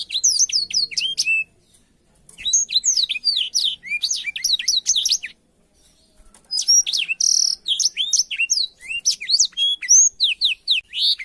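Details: Blackthroat song used for schooling canaries: three long phrases of swift, high, twittering whistles and trills, each separated by short silences.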